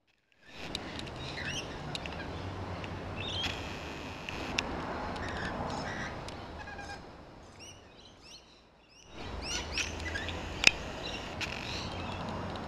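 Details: Rainbow lorikeets screeching while feeding on a large grevillea shrub in a back garden; bursts of harsh high squawks, a quieter lull midway, then more screeching with a sharp click.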